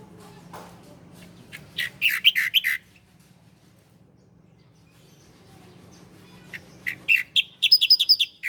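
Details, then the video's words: Ciblek Koya, the bar-winged prinia, on a master track for training cage birds: a short burst of sharp, repeated chirps, a quiet gap of several seconds, then a longer rapid chirping phrase. "masteran burung ciblek Koya"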